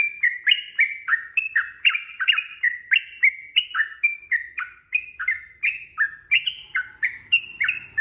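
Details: Long fighting-style song of a Sooty-headed bulbul, meant to provoke other bulbuls into singing back: a continuous chain of chattering, bubbly notes, each dropping in pitch, delivered quickly and unevenly with no other sounds.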